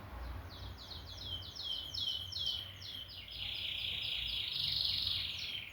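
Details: Canary, a bird kept as a good singer: fast repeated sweeping notes building into a long soft trilled roll, volume rising and falling, low hum in the background.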